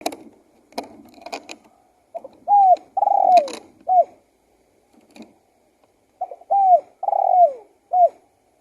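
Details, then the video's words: Spotted dove singing, soft cooing phrases: short note, a drawn-out coo, then a falling coo and a brief final note, repeated twice with clicks and knocks between phrases. "BIRD SINGING"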